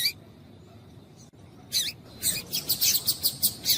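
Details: Female yellow-bellied seedeater calling to stir up males: a brief high chirp, a pause, then a fast, fairly even series of bright, clipped, high-pitched notes, with faint background hiss.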